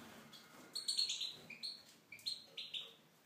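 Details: Tunisian goldfinch kept in an aviary gives a brisk sequence of liquid, high twittered notes, some dropping in pitch, in quick clusters with light clicks.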